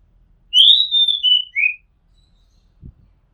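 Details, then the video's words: Oriental magpie-robin singing, recorded from a house rooftop in Thailand: one clear whistled phrase of a rising note, a sliding high whistle and a lower falling end note, followed by a soft low thump. "Oriental Magpie Robin Sound Long play | เสียงร้องนกกางเขนบ้าน"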